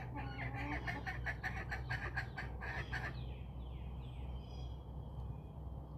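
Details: Backyard chickens roaming outdoors: about three seconds of rapid, busy clucking, followed by soft descending chirps from small birds over a constant low hum.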